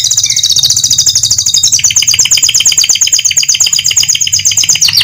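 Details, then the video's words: A canary sings an unbroken, high-pitched warble of fast, rattling trills and rolling phrases, notes repeated several times a second and pitch stepping down midway; used to lure canaries into keeping singing. "Suara Burung Kenari Untuk Memancing Kenari Agar Tetap Gacor."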